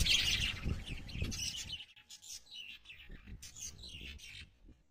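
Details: Loud, dense twittering from lovebirds in the first two seconds, then quieter scattered chirps and squeaks continue to the end.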